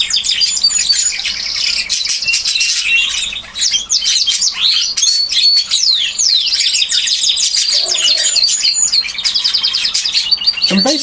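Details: Domestic canaries in an aviary, two singing males trading song phrases back and forth over a young red factor canary so he can learn; dense high twittering trills and rapid rolling phrases fill the clip, with a brief speaking voice near the end.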